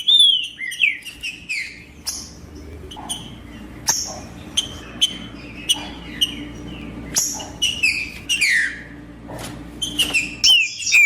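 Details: Green-winged saltator singing in a male-style manner to stimulate other birds: descending whistled notes and short slurred phrases, separated by sharp clicks, over a steady low hum.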